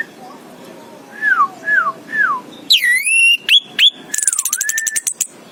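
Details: Orange-headed thrush (anis kembang) singing: three soft slurred whistles that rise and fall, then louder swooping whistles, sharp notes, and a fast buzzy trill to finish.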